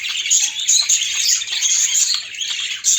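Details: Budgerigars, pet parakeets, in a busy flock chorus of bright, high warbling chirps and squeaky twitters overlapping continuously, a few sharper clicks standing out.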